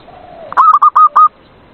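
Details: Zebra dove singing at night, played to encourage lazy doves: a faint low drawn note leads into four short, bright hooked coos delivered quickly.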